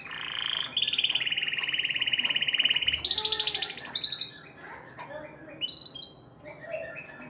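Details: Canary song for stimulating females to mate: a sustained fast rolling trill, then a higher, brighter rattling tour, fading into softer, sparse twitters, with faint background murmur.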